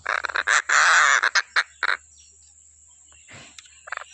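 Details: Stork-billed kingfisher, recorded as a training track for songbirds. It gives a run of short, loud, hoarse squawks building into a long harsh scream, then several clipped rasps. The calls fade into quieter scratchy sounds.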